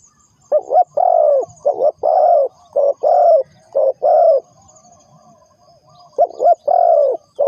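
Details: Spotted dove call used as bait when trapping. Several low, resonant coo phrases follow one another, each a short broken note then a sustained coo, then a silent gap before the sequence resumes. A faint high whine continues throughout.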